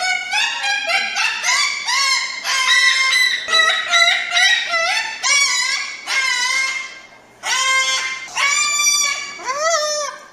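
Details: Crested cockatoo screeching loudly and shrilly: a long, busy series of harsh, arched squawks, some clipped and some drawn out, with brief gaps and a final rising cry.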